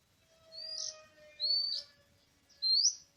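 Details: Wild Oriental magpie-robin in forest, 24 March 2017, during bird trapping: three drawn-out, sweet whistles, each sliding upward and ending in a bright flourish, spaced about a second apart over a faint steady tone.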